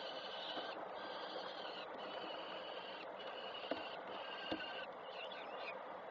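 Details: Peregrine falcon nest in Koszalin, Poland, 3 June 2024, with the female arriving and a chick fed by its mother; a series of long, even, high-pitched wailing notes repeats about every second over constant background hiss, with two sharp knocks.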